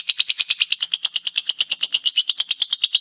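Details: Master recording of a lovebird's ngekek song for training: rapid, shrill chattering notes pulsing in a tight even rhythm, bright and high with no other sounds.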